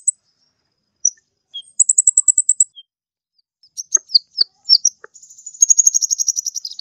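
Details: Sunbird, locally called kolibri ninja, singing actively, recorded for training other songbirds: scattered thin high chirps, a quick run of even ticking notes near two seconds, sharp clicks, then a dense, very high trill to the end.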